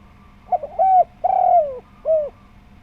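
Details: Lively spotted dove with a full voice, used to provoke other doves into calling: soft stuttered notes, a rising coo, a long downslurred hollow note, then a short final coo, in a clean recording.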